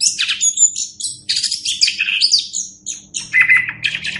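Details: Orange-headed thrush singing continuously for a master tape used to train other birds: dense high twittering and chattering phrases, thin whistles, and a short harsh buzzy stretch near the end, with a low background hum.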